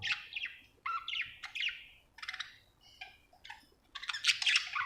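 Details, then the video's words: Happy budgerigar giving separate short chirps and squeaky trills in bursts, several per second, with brief silences between, closing on a louder scratchy flurry. "Happy budgie chirping sound"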